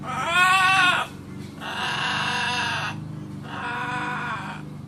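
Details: Laughing, talking macaw calling for Grandpa, giving three drawn-out raspy calls, the first loudest and bending in pitch, the later two flatter and buzzier, separated by short pauses over a steady low hum.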